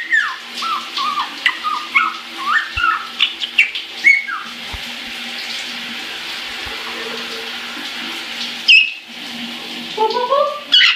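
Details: Pet caique happily singing while in the shower: a run of short chirps and whistled slurs, many falling, in quick succession over steady running water, then a pause of hiss and a few rising whistles near the end.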